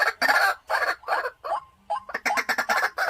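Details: Decoy white-breasted waterhen in a cage calling in broad, rasping croaks spaced about a third of a second apart. Near the end, a low drawn note leads into a faster burst.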